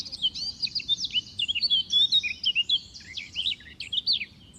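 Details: Young white-eye fledgling, greedy and eating a lot while being fed; dense, rapid high chirps and short twittering notes tumble over each other without pause, with a faint low rumble of background noise.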